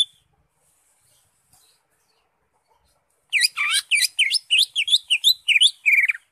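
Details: After a silent start, a Greater green leafbird delivers an ngekek song: a fast, chattering series of about a dozen clear whistled notes, each dipping and rising, repeated roughly three times a second.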